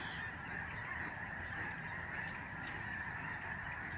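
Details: Lesser Snow Geese in a big flock overhead at the George C. Reifel Migratory Bird Sanctuary, Canada, in November 2011; many birds give nonstop, overlapping high honks that blend into one unbroken clamour over a low rumble.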